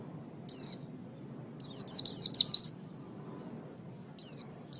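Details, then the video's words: Oriental white-eye master song for training songbirds, with isolated high downslurred whistles separated by pauses and a quick cluster of six bright notes in the middle, faint hum beneath. "Ocehan Burung Pleci"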